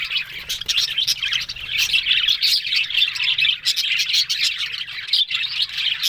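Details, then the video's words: A group of budgerigars talking in continuous twittering chatter, rapid scratchy chirps and warbled notes overlapping without break for several seconds. "Beautiful Budgerigars Talking"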